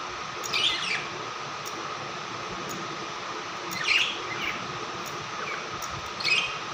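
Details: A happy blue pet budgerigar gives short bursts of scratchy, chattering chirps every few seconds over a steady hum.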